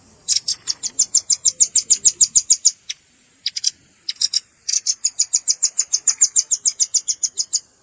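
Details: Velvet-fronted nuthatch lure recording with juvenile calls mixed in: long, steady trains of rapid, high, ticking notes, broken by a short pause and a few clustered chips.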